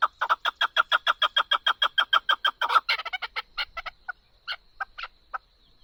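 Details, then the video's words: Chukar partridge giving a fast, even run of clucking chuk notes, over three a second, that breaks into looser, scattered calls and fades. The recording is meant for hunting. "Chakoor voice Partridge original Sound|| شیکار کے لیے خوبصورت آواز چکور کا"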